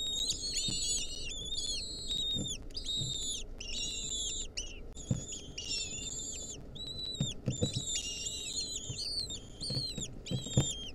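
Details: An intense chorus from wild lesser kestrel chicks, a centipede clinging to them, 2023: dense overlapping whistled and wavering harmonic calls in repeated bursts, with scattered knocks and scuffling sounds.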